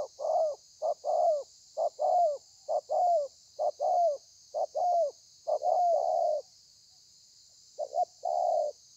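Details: A wild-caught spotted dove giving thổ pha calls, dated 30/11/2020: a rapid run of paired low coos, the second note longer, then a short silence before two more coos; steady hiss behind.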